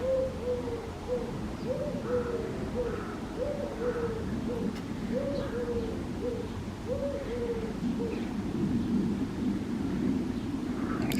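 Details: A collared dove, in a garden and probably nest-building, coos a mating call in steady three-note phrases, soft and hollow, repeated every couple of seconds over a low roar of jet noise.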